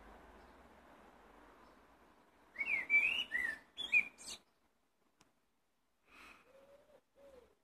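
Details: Blackbird singing, with a burst of loud fluty whistled phrases and twittery notes, then a pause. Two soft low whistles follow after a faint note.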